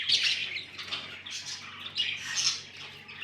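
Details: Pet budgerigars chirping indoors: dense, scratchy high chatter in bursts roughly every half second, with a steady low hum beneath.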